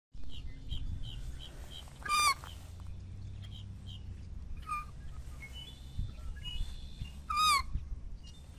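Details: American white ibis giving two loud, harsh, nasal calls about five seconds apart, each a brief falling note, with faint thin whistles of other birds and a steady low rumble underneath.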